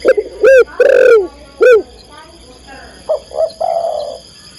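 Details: A female spotted dove calls for the male. Loud, harsh arched notes open the phrase, followed by softer low coos: two brief rising notes and a sustained longer coo.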